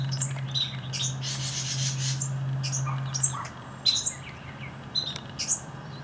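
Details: Carolina wren nestlings in a nest in a hanging strawberry planter give a burst of thin high chirps and harsh buzzy begging notes, then scattered single peeps, over a steady low hum.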